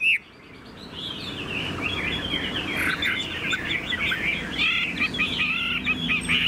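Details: Chinese hwamei, a tame caged bird, heard in a continuous jumble of warbled and chattering notes against steady background noise, after a brief sharp sound at the start.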